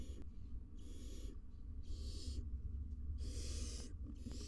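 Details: Nest-box barn owl family in Israel: the adult male visits and touches beaks with his chicks as the female roosts outside. Rasping, noisy hisses of roughly half a second to a second recur with short gaps against a constant low droning background.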